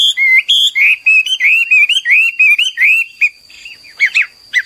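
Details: Hwamei pouring out a lively training song: a fast chain of bright slurred whistles, many rising at the end, then a pause and a few sharp, broken notes, with a thin steady tone in the background.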